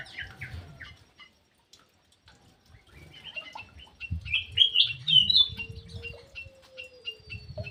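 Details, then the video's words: Aviary-kept ground thrush (punglor jali) in full song: scattered short chirps, then a loud run of slurred whistles and warbles midway, followed by spaced sharp notes; a faint steady low hum and soft rustling beneath. "PUNGLOR JALI GACOR"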